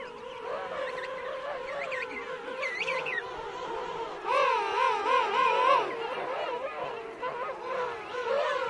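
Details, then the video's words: Adult King penguins calling close up in a colony with chicks, Right Whale Bay; background chorus of wavering calls, then a loud nearby trumpeting call with rapid rhythmic pitch wobbles lasting about one and a half seconds. "King Penguin. CU Adults Calling. Colony Of Adults And Chicks."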